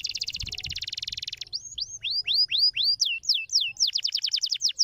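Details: Singing canary opening with a dense buzzy rolling trill, then switching to repeated clear downslurred whistles and a fast run of sweeping notes, all high and bright.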